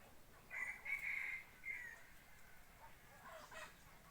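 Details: Decoy rooster kept for forest hunting crows faintly at a distance, a drawn-out, strained crow with a steady high band, then a second shorter burst near the end over a quiet background.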